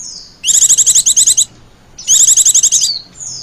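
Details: Calling wild white-eyes with a lure: two bursts of about ten rapid, high, evenly spaced buzzy chirps each, framed by faint thin whistles.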